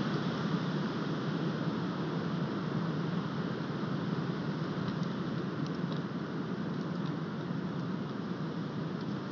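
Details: Steady, dense broadband roar like wind, rain or passing traffic fills the whole recording, with no animal voice standing out.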